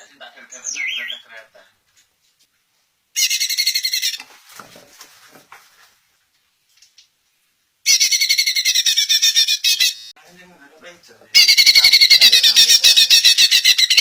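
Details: {'caption': 'Greater green leafbird repeating a harsh, rapid chattering song in three separate bursts, each two to three seconds long, meant to set other leafbirds replying; a few softer whistles and quiet gaps between.'}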